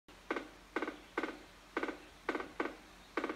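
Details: A woodpecker duet: two woodpeckers trade short, harsh, burry call notes, seven in about three seconds at an uneven pace, over a quiet background. One bird had moved to a different tree.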